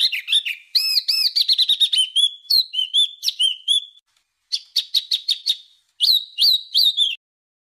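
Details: Coarse songbird tutor recording meant for training home and contest birds: rapid rolling whistled notes and chatter, a brief pause, then clipped repeated chirps and looping slurred whistles.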